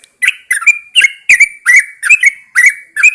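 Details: Yellow-vented Bulbul, kept caged and set outside at first light, sings rapid, warbling double notes about three times a second in a continuous bubbly stream.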